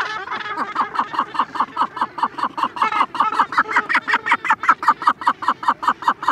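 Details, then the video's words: Cape gannet chick begging at close range, with occasional adult calls further off: a dense, fast string of short raspy notes, briefly overlapping and louder in the middle, then continuing in a steady rhythm. "Cape Gannet. CU Begging Calls From Chick. B/G Occasional Calls From Adults."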